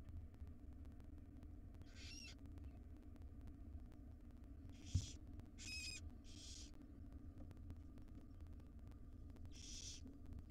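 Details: Five wild barn owl owlets in a monitored nest box beg as their mother feeds them breakfast: harsh, hissing screeches, each about half a second long, come five times at irregular gaps over a steady low electrical hum.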